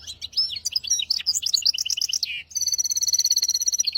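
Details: Hafada and widani style song from a caged hybrid finch meant to teach goldfinches and canaries: varied, jumbled high chirps and slurred notes, then a long, steady, ringing trill of fast repeated pulses over a faint low hum.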